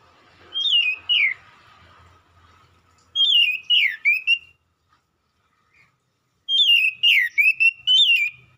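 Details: Oriental magpie-robin (kacer), used to provoke a reply, giving three bursts of loud whistled phrases, each sweeping down and up around a bright pitch with sharp upper notes, separated by pauses, over a faint low hum.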